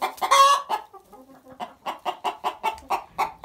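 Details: Egg song of a Barred Plymouth Rock hen after laying: opens with a harsh, drawn-out squawk, softer chatter, then a steady series of sharp clucks repeated several times a second.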